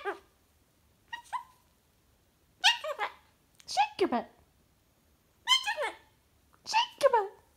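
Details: Pet cockatoo talking with its owner indoors: six separate bursts of harsh, speech-like harmonic syllables with falling sweeps, spaced irregularly about a second apart, in a quiet room.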